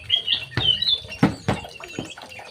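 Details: In an aviary, a young male white-rumped shama delivers quick whistled notes and a brief warble, broken by several loud knocks and tapping sounds.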